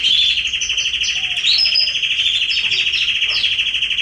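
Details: Canary in a garden, September 2020, delivering a steady pulsing, rolling trill, with fainter higher chirps from other birds over it.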